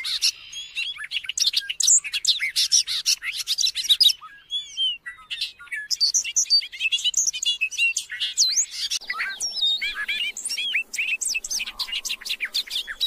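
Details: A Bobolink (Dolichonyx oryzivorus) pours out a long, rapid, bubbling song of tinkling, metallic notes that jump up and down in pitch, running on with barely a pause.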